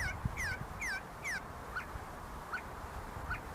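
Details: A group of See-see partridges feeding and fighting on the grounds of the University of Sulaimani, Kurdistan. Four quick whistled notes slide downward with harmonics, then three shorter clipped notes follow at roughly even spacing over low background noise.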